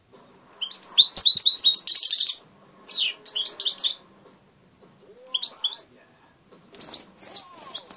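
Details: Hand-raised European goldfinch delivering short bursts of rapid, high tinkling twitters separated by quiet gaps, the later phrases softer, over a faint background hum.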